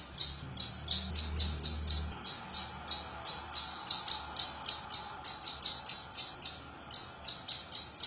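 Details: A female hill prinia, used as a lure call, gives a steady series of sharp, high chipping notes, about three each second, loud and tireless against a quiet background.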